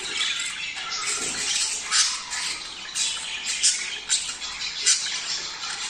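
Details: Budgerigars calling to stimulate breeding: a chorus of fast, overlapping high chirps and rasps, with repeated short louder squawks roughly every second.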